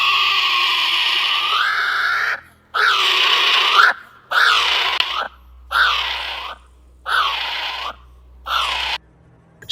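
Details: A kiwi calling in the dark of night gives a series of six shrill, screeching notes, each rising then falling, about one and a half seconds apart, with a faint low hum underneath.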